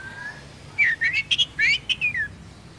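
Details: A Vietnamese Oriental magpie-robin sings to rouse other birds. After a soft low whistle, a short cluster of clear slurred whistles and quick notes follows, some rising and some falling, with light background hiss.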